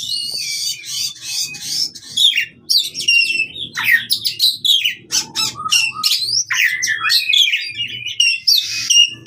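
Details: Oriental magpie-robin fighting song for prompting non-singing birds: varied chattering phrases of scratchy notes and downslurred whistles, with soft low rumbling underneath.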